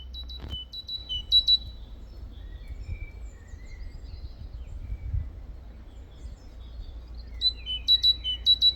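Great tit giving quick bursts of sharp, high, clipped notes at the start and end, with faint thin whistles between over a low background rumble.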